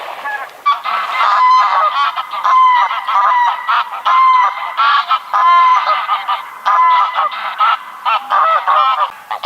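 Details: Greylag goose honking loudly and almost continuously, nasal harmonic honks overlapping in quick succession, with brief gaps between bursts.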